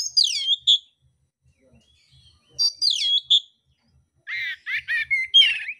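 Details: Fighting mintal oriental magpie-robin with rough fill-in phrases: two sharp high descending whistled flourishes a couple of seconds apart, then a burst of harsher, buzzy repeated chattering notes.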